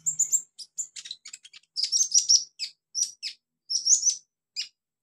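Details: Olive-backed sunbird in the wild, native habitat: clear high chips and twittering trills in short clustered phrases separated by brief pauses, with a quiet background.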